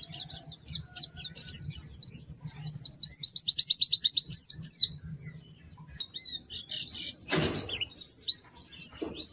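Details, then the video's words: Chattering white-eye song of high, squeaky notes building into a rapid even trill, then a quiet gap, a short burst of noise, and more thin twittering phrases. "Kicau Burung PLECI GACOR MERDU"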